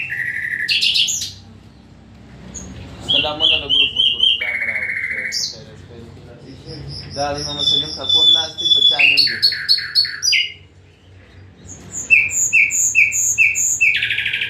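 A nightingale sings varied, high phrases: pure whistles, rapid clicking trills and buzzy rattles, split by short pauses. A faint low hum runs underneath.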